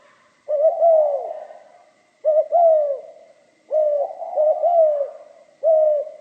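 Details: Spotted dove singing in the style called giọng pha kim: low, hollow cooing phrases, each a short double note then a longer falling coo, repeated four times with gaps of about a second in an otherwise quiet setting.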